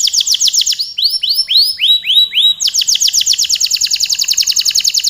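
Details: Canary in full, vigorous long song: rapid high trills of repeated notes, then a run of rising arched whistles, then a fast, even trill of about three to four notes per second that carries on to the end.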